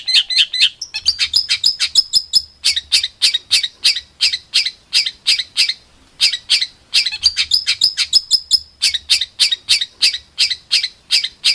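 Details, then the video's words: A songbird giving a rough, fast tutor song for competition birds: sharp, high chirps in rapid bursts of about three notes a second, with brief pauses between phrases and a faint low hum behind. "MASTERAN BURUNG LOMBA"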